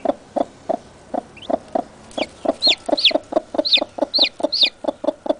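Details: Newly hatched chicks calling to keep their mother near: low, steady clucks repeated about twice a second under high, sharp downward-sliding peeps that come in a quick series midway.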